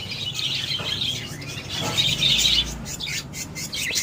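Budgerigars chatter in a steady stream of high, scratchy chirps and warbles.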